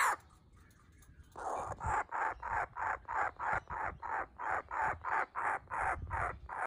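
A young laughing kookaburra gives a string of about fifteen harsh, raspy notes, roughly three a second, steady and even in pitch, after a quiet start.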